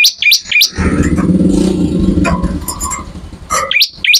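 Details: Ciblek, the bar-winged prinia, in energetic song used as tutoring material: quick clusters of high, sharply rising chirps open and close the passage, with a steady low rumble like passing traffic filling the middle.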